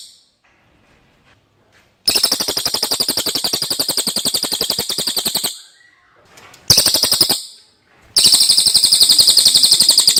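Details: A clear common iora song, made as a master recording for songbird training. Three rapid trills of shrill, high notes come one after another with short pauses between them, plus faint rustling before the first.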